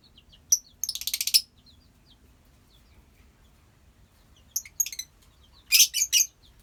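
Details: Lovebird colony: sharp high shrieking chirps in quick bursts, a rapid stuttering run near the start, scattered faint chirps between, and a loud cluster of harsh screeches near the end.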